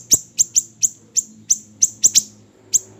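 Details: Small siri-siri bird, recording used to train songbirds: ten bright, high, down-slurred chips at roughly quarter-second intervals, some paired closely, over faint low background hum.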